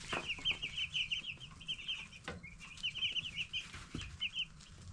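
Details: Baby broiler chicks, 10 days old, giving fast series of high, clear cheeps in two main bursts with a pause between, plus a few sharp clicks and thuds.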